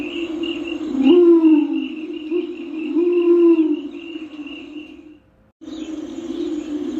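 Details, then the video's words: Deep rising coo notes from a Torresian imperial pigeon, two calls close together, backed by a continuous low hum and rhythmic high insect chirping, with a short silent gap near the end. "Sounds of the Torresian Imperial Pigeon Ducula spilorrhoa"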